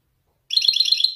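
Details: The caged male Wediani European goldfinch from Morocco produces a brief, rapid, bright trill of tinkling notes in its Marrakchi descending style, ending in a sustained high buzz.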